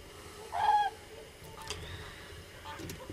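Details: Common crane, one of many present, giving a single short, loud, harmonic trumpeting call lasting about a third of a second, followed by faint distant calls over low steady background rumble.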